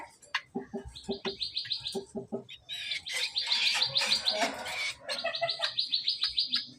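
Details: Greater green leafbird, hand-raised, recorded as master song: short clicking notes at first, then sustained rapid chattering trills, a dense noisy outburst in the middle and another quick trill closing the phrase.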